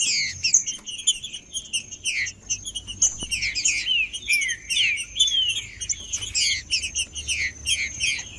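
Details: Green-winged saltator in captivity, singing to encourage a cold caged bird: a long run of rapid, overlapping slurred whistles and sharp chirps, almost continuous, with a faint steady high hum underneath.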